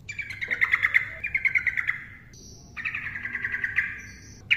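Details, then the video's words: Yellow-vented bulbul delivering the fast-trilled 'ropel' song as a lure for silent birds: two long, rattling, buzzy trills separated by a brief gap, with a thin high whistle in between. "TRUCUKAN GACOR NARUNG ROPEL cocok untuk pancingan burung TRUCUKAN DIAM"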